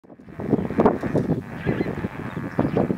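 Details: Lesser flamingos in a dense flock during courtship display give a continuous chorus of nasal, goose-like honks, many birds overlapping with no pause.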